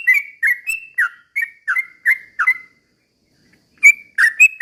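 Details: Sooty-headed bulbul in vigorous slow rolling song meant to agitate other bulbuls into singing: about eight quick whistled phrases, a silence of roughly a second, then a few more louder notes.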